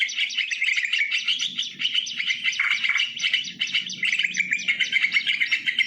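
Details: Lure song of the sooty-headed bulbul, recorded live outdoors: rapid, busy twittering with tumbling whistled phrases that run without pause, over a faint low hum.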